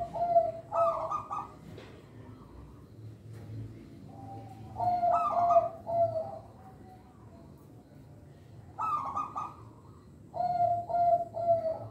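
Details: Local Indonesian zebra dove singing to lure young birds and train other doves: three separate phrases, each a quick trilled note falling into lower purring coos, with quiet gaps of a few seconds between them.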